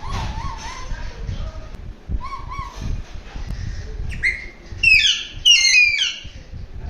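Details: An Alexandrine parakeet gives a run of soft, wavering whistles, then breaks into loud, harsh, rising screeches near the end, over a low background rumble.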